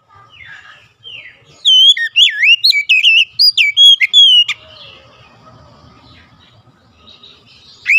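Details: Lure song for reluctant Oriental magpie-robins: soft opening notes, then nearly three seconds of loud, quick, wavering whistles and chips, followed by quiet background calls and one rising note at the end.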